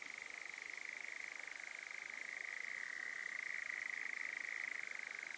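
A nightjar's steady, mechanical churr: a fast, unbroken rattling trill that dips slightly in pitch midway and carries on without pause.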